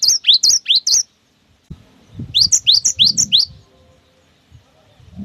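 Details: Cinereous tit (gelatik batu) in lively 'wucit wucit' song, played to stimulate other birds to sing: two short bursts of quick rising whistled double notes, with soft low thumps and rustling between and after them.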